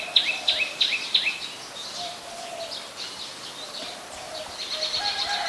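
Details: Adult common tailorbird, a common resident, calling in Ubon Ratchathani, Thailand, on 27 January 2021: four loud, sharp, high down-slurred notes in quick succession, about three per second, then a softer busy chorus of other birds' chirps and low drawn-out notes.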